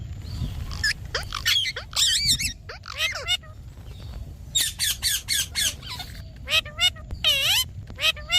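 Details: Green talking parrot uttering a run of harsh, scratchy squawks and rasping bursts, some with bending, wavering pitch, in uneven clusters with brief pauses, over a low background rumble.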